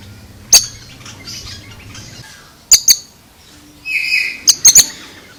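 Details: Oriental magpie-robin (kacer) making unusual sounds: sharp, high clicking notes, single and in quick pairs, spaced over several seconds, then a short harsh buzzy note leading into a final tight cluster of clicks; faint soft whistles in between.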